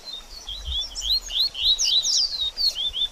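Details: Double-collared seedeater song played to stimulate a bird after its moult, a rapid run of high, thin whistled and warbled notes, many swooping up or down, delivered in short bursts with brief gaps.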